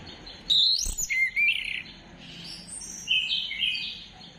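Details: Orange-headed thrush singing in a lure recording from 15 December 2025: a sharp high note opens a run of rich, warbling whistles, and a quieter rising-falling whistled phrase follows after a short gap.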